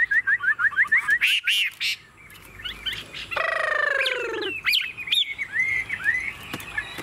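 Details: Tame caged Chinese hwamei singing while its cage is shaken to show its calm: a fast run of short rising whistles, a drawn-out harmonic downslurred note, then varied slurred whistles and chirps.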